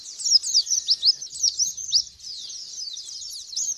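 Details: White-eye lure song, played to make a white-eye respond, sing loudly and spread its wings: a rapid, high, thin twittering of sharp slurred chirps and warbled notes, dense for two seconds and then softer and more jumbled.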